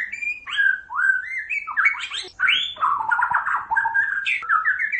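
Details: White-rumped shama of the Pasaman type pouring out a rapid, varied medley of swooping whistles, buzzy rattles and bright rising notes with no real gaps, ending in quick upward slurs.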